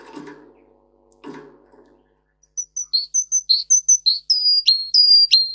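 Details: Russian singer canary singing for training other canaries: after two soft rustling sounds, a sequence of high paired whistled notes begins, rising into louder, sharply falling strokes repeated about twice a second.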